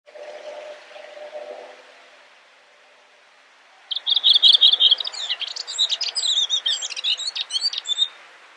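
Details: Redwing (Turdus iliacus coburni), Icelandic subspecies, recorded at Brjánslækur, Iceland, in June 2019: a four-second burst of high, scratchy, chattering twitters after a few soft, low hooting notes.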